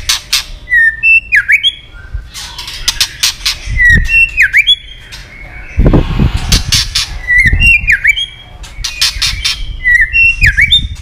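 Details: Female white-rumped shama voice in the 'tạch líu' style, used to excite males for fighting: repeated phrases of rapid sharp clicks followed by whistles plunging and rising in V shapes, about five phrases, with occasional low thumps.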